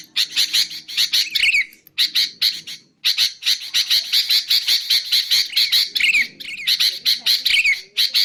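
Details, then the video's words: Grating rapid notes from a sooty-headed bulbul, used to lure bulbuls and train singing birds, come in runs separated by brief silences, several phrases ending in a quick downward whistled slur. "BURUNG KUTILANG untuk ocehan mantab"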